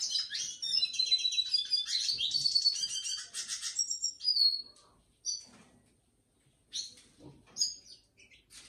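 A red siskin sings a fast, rambling stream of high twittering and buzzy trills for about four seconds, followed by scattered short chirps.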